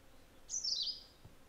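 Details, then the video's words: A rose-throated tanager gives one thin, high, slurred note, about half a second long and dropping slightly in pitch, over a quiet background. "Rose throated Tanager"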